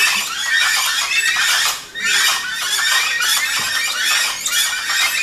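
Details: Several Gray-headed chachalacas call noisily at dawn at Rancho Naturalista, Costa Rica. Loud, scratchy, rhythmic notes pile over each other, dip briefly near two seconds, then return as a steady clamor.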